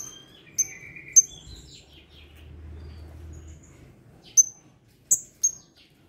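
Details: Blue-crowned hanging parrot, in good voice, answering a lure recording: scattered, sharp, very high notes, some paired, separated by quiet gaps, with a low rumble midway.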